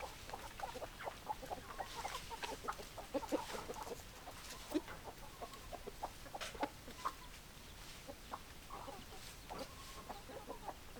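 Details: Busy chicken flock: rapid overlapping clucks and occasional short drawn-out calls, a continuous lively barnyard chatter throughout.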